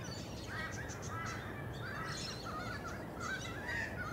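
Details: Australian magpie on Queensland's Sunshine Coast in June 2023: soft, modulated warbling phrases with wavering fluty notes that come and go, over persistent low-pitched background noise.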